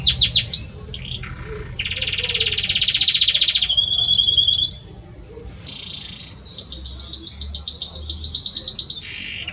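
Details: Belgian canary male singing at length to the female, mixing short whistles, a long loud buzzy trill, a rising rattle, and a high rapid chattering series of repeated notes.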